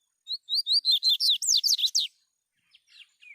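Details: Singing free in nature, a double-collared seedeater pours out roughly twelve quick, high, down-slurred whistles in under two seconds, followed by a few quiet fragments; mobile phone recording.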